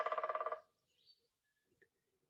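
A Red-bellied Woodpecker drums a quick, resonant roll of about ten hits in half a second, fairly low and hollow-sounding, followed by near silence.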